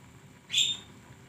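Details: Flowerpecker recorded for use as training material for caged songbirds; one sharp, thin, very high note, slightly rising and lasting about a third of a second, over a faint low background hum.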